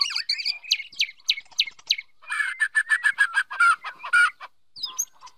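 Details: White-rumped shama from the wild, female urging the male to practise song: clipped sharp notes at first, then a dense sequence of rapid varied whistles and chirps with tonal slurs.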